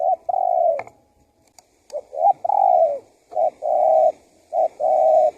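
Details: Spotted dove cock cooing to lure wild doves: a run of low, mellow coos, short notes alternating with longer drawn ones that sometimes fall at the end, delivered almost without pause.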